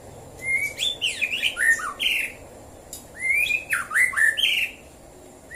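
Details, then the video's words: White-rumped shama in Prambanan, Klaten, Central Java, singing in the morning: two phrases about three seconds apart, each a rising whistle leading into a run of bright looping, downward-swooping notes. "KICAU BURUNG MURAI BATU DI PAGI HARI"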